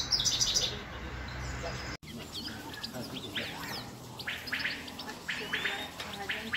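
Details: Grey-crowned goldfinch from Khujand singing over a noisy background: a burst of high chatter, a brief break, then scattered, quick twittering chirps and short rising notes.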